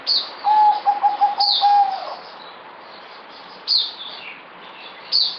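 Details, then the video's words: Zebra dove (merbok), a kept bird fed multivitamins, 2020: a clear staccato cooing phrase of rapid, evenly pitched notes lasting about two seconds, with sharp high descending chirps from other birds around it. "Merbok Zebra Dove"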